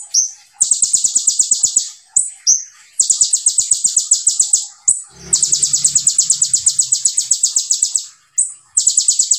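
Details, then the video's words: Olive-backed sunbird (kolibri ninja) singing vigorously in the tight 'tembakan' style: long, very high, rapid ticking trills in dense bursts, broken by brief sharp upslurred notes and short pauses, with faint low thumps. "KONIN GACOR FULL TEBAKAN RAPAT SEJALUR"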